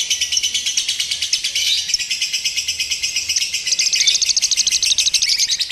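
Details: Lovebird heard during a simulated singing-competition session used to train its nerve: a continuous, fast, buzzy chattering trill, high and dense, pulsing roughly three times a second without a break.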